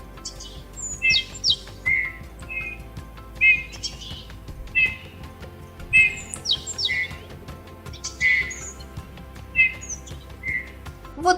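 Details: Eurasian bullfinch (Pyrrhula pyrrhula) song: soft, creaky twitters mixed with short piping whistles, between metallic creaking and whistling, given in loose bursts every second or two, with faint background music.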